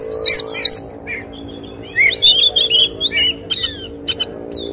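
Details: Oriental magpie-robin at a songbird competition performing 'tembakan' shots: paired high whistles, then a chain of swooping slurred notes and sharp clicks, over a steady low hum and distant voices.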